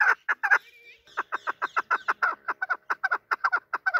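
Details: Local hunting chukar partridge calling: a fast run of short, harsh clucking notes, about two to three per second, with a brief gap in which a thin rising whistle is heard.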